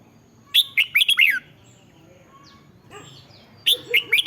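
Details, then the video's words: Caged red-whiskered bulbul singing, used to make other caged birds lively: a rapid phrase of five loud falling whistles, a pause with faint soft twitters, then the phrase begins again. "เสียงนกกรงหัวจุก สำหรับต่อ หรือ เปิดให้นกคึก เสียงเพราะๆ"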